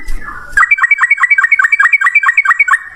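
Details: After a short noisy opening, a Sooty-headed bulbul gives a fast, even string of about fifteen bright chirped notes in just over two seconds, in the 'ropel ngalas' lure style meant to draw answers from other birds.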